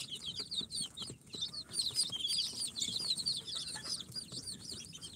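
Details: Many newly hatched chicks from an incubator, day four, including Sultan, Golden Sebright, Cochin and booted breeds, peeping constantly in a dense overlapping chorus of high, short downward-sliding cheeps.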